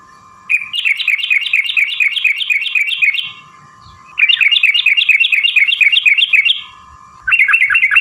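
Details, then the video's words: Trucukan, or jogjog, in full lively song used as a lure to prompt other birds to answer: rapid bubbling chattering phrases of repeated warbled notes lasting about two to three seconds, separated by short pauses, with a faint steady tone between bursts. "trucukan gacor TARUNG ROPEL PANJANG pancingan trucukan agar bunyi jadikan burung trucuk NYAUT gacor"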